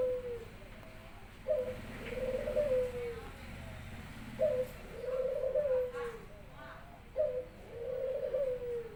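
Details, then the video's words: Barbary dove kept in a house, singing steadily as its owner comes home from work. Three low, rolling coos follow each other about every three seconds, each opening with a short rising note and fading downward. "burung puter saya udah gacor"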